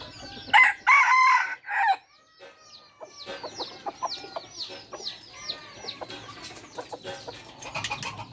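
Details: Third-generation (F3) red junglefowl crowing: a loud, harsh, multi-part crow in the first two seconds, followed by a busy background of many quick, high, downward-sweeping chirps from other birds.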